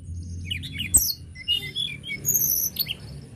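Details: Mountain lark singing, meant to spur other birds to sing: quick high twittering phrases of chirps and thin whistles, with a sharp click partway through and low hum underneath.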